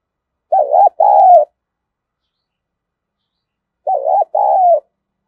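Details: Spotted dove calling, gù and gáy style, used to prime decoy birds. Two identical double coos, a wavering note and a longer sliding one, are separated by about three seconds of silence.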